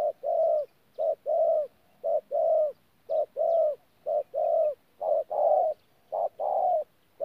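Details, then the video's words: Tumorong decoy spotted dove, caged, 14 January 2019, with thổ coos blended into gù: a regular rhythm of short clipped note followed by a longer mellow one, the pairs recurring about once per second in a clean recording. "BỔI THỔ PHA GÙ QUÁ TỐT"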